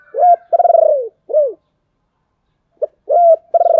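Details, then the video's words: ['Lure song of a decoy spotted dove meant to draw wild doves: rising coo, long vibrating coo and a falling coo, a gap, then the phrase starts again.'] "Chim Cu Mồi/ tieng cu gay kich boi nhanh noi"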